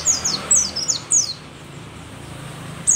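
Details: Mountain white-eye, a rare bird endemic to Merapi, old and vocal: a quick series of six high, thin, falling chirps in the first second and a half, then a pause and one more note.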